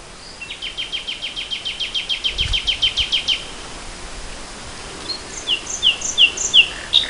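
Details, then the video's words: Spring 2014 nightingale song: a loud, accelerating series of sharp repeated notes lasting about three seconds, a pause, then a separate phrase of descending whistled strokes rising in volume, with light hiss behind. "Le chant du rossignol"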